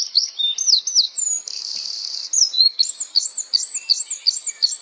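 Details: Singing flowerpecker giving high, thin whistles: looping upslurred notes, a brief buzzy hiss, then a steady series of arched chirps repeated about twice per second.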